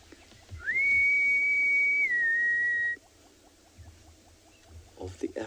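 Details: African harrier-hawks, perhaps two calling to each other, at sunrise on 23 June 2020 in Tswalu Kalahari Reserve, South Africa: a long, plaintive whistle of about two seconds, held steady then stepping slightly lower; soft ticking insects and a low rumble behind.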